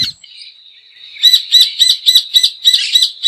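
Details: Rufous hornero song: a thin drawn-out high note, then a quick run of sharp, shrill repeated notes about five per second.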